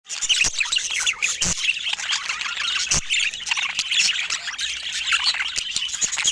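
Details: Pet budgerigars chirping and squawking together in a dense, busy chatter of short, high warbled notes and squeaks, with a few sharp clicks or taps breaking through.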